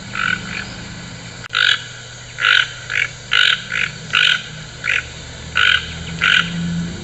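A toucan gives a series of hoarse, croaking notes, about a dozen in seven seconds at an uneven pace, over a low background hum.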